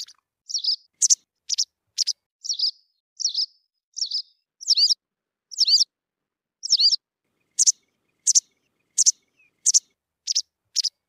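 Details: A steady series of high chirps from a white wagtail, roughly two per second, shifting from softer rounded notes to downward-slurred ones and then sharp clipped calls.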